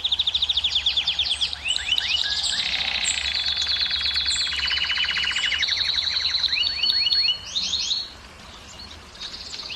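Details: Canary singing to stimulate hens to breed: loud, varied high trills, some with downward-sweeping notes, others buzzy and rapid. The phrases shift pitch repeatedly, then the song breaks off and fades to quieter notes near the end.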